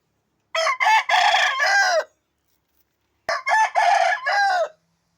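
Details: Two complete crows from a chicken that has recovered from illness, each about one and a half seconds long, harsh and segmented with a falling final note, separated by a second of quiet.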